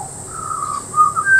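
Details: A butcherbird at Peachester, Queensland, sings clear, fluty whistles: a drawn-out mid-pitched note, then two brighter notes stepping upward, over a steady high insect hiss.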